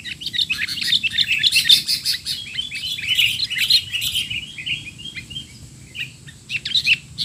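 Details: Sooty-headed bulbul making noisy 'teler' calls for training young bulbuls: a lively flurry of rapid chirps and warbles that thins out toward the end into sparse single notes.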